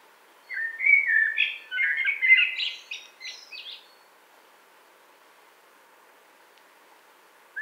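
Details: A single blackbird phrase: mellow whistled notes sliding up and down, then breaking into a squeaky, higher twitter near the end, followed by silence.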